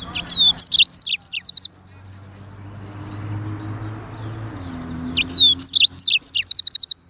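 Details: Black-throated canary singing 'gacor' song as clear training material: rapid high chirping phrases with quick trills, a quiet spell carrying a low engine-like hum, then the fast chirping resumes.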